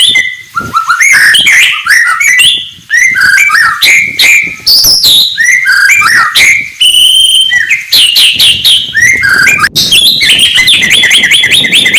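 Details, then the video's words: Morning song of an oriental magpie-robin (murai batu) for stirring rival birds; rich, fast sequence of varied whistles, slurs and chirps, loud and continuous with brief pauses. "kicauan murai batu pagi hari cocok buat naikan emosi lawan"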